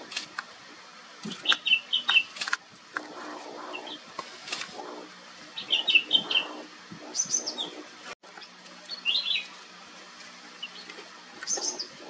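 Flame-throated Bulbul giving short bursts of bright, bubbling, warbled notes in phrases a few seconds apart, with other soft bird calls around.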